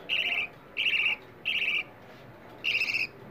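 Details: Budgerigar chicks begging for food, a recording played to budgies to stimulate mating, egg laying and raising more chicks: four harsh, raspy buzzing calls, each about a third of a second, spaced roughly every 0.7 seconds.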